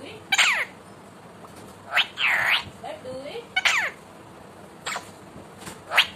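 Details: Pet Indian ringneck parakeet talking: several loud, harsh, harmonic-rich bursts with fast falling sweeps and one broad drawn-out vowel-like note, separated by quiet pauses.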